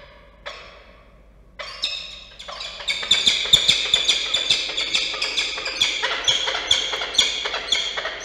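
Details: Peregrine falcon pair at their nest in Orange, New South Wales, 21 December 2023, alarmed by a possible intruder: a few scattered harsh notes build into a rapid, steady run of grating kak-kak calls, about two per second.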